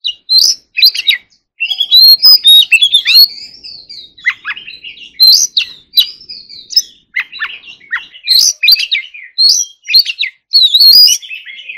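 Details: Oriental magpie-robin in forest-voice style training song, a rich stream of high whistles, sweeping slurs and scratchy notes delivered in quick bursts with brief pauses, loud and clear with no other sounds.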